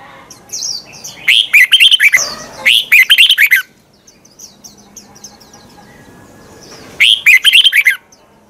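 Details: Red-whiskered bulbul singing its morning twisted-voice song as a decoy to train competition birds; three bouts of fast, bright warbling, then a long quiet stretch before a final burst.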